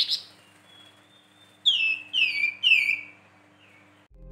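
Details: After a short buzzy note and a long faint thin whistle, a Flamboyan gives three loud downslurred whistles about half a second apart.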